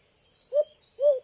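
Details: Young White-eared Brown Dove, known locally as alimokon, giving a call described as very attracting. Two short, low, hollow hooting notes about half a second apart, each briefly swelling then fading, over a steady high insect hiss.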